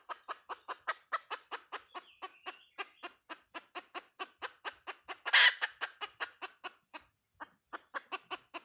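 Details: Long run of quick, clipped hen clucks, roughly three per second, with one loud rasping burst midway and a short pause before the clucking resumes.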